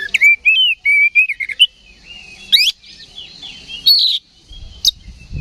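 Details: Song of an oriental magpie-robin stirred up by a decoy call: a run of clear whistled, wavering notes at the start, then scattered harsh buzzy bursts and sharp chips with quiet gaps between.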